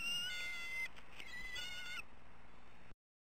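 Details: Seven-week-old bald eagle chick at a Southwest Florida nest on 16 February 2014, as its parents deliver a fish and then a large bird. It gives high, thin, whistled squeals in short sustained bursts, each with strong overtones.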